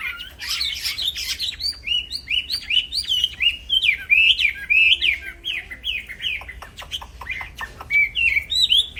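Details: Black-throated laughingthrush kept as a songbird, singing nonstop for training other birds: a rapid run of looping, slurred whistles and chattery notes, densely packed with short sharp ticks interspersed.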